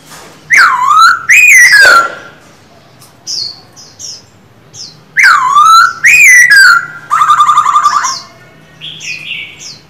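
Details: Male silver-eared laughingthrush kept in a cage and coached to sing every day: two groups of loud swooping whistles, each followed by short high notes and a buzzy trill, against a low steady hum.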